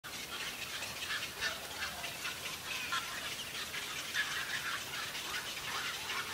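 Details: A steady din of harsh, overlapping croaks and chattering calls from many cattle egrets at once at a heronry, with no pauses throughout.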